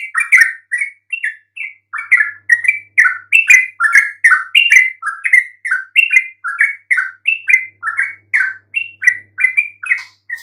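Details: Yellow-vented bulbul song meant to draw replies even from silent bulbuls: loud, bubbly, warbled phrases of short rising and falling notes, repeated in quick succession, with a few faint high ticks.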